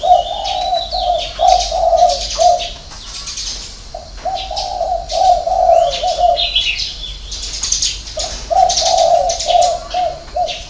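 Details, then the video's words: Repeated six-note coo phrases from a spotted dove, hậu 3 style: each phrase of soft, throaty notes ends and restarts after a brief pause, three phrases in all, with bird twitters in the background. "chim cu gáy 6 tiếng ( hậu 3)"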